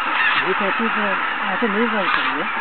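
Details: Geese at Izunuma at six in the morning: a rapid series of nasal, wavering honks from nearby birds, overlapping one another against a dense flock chorus.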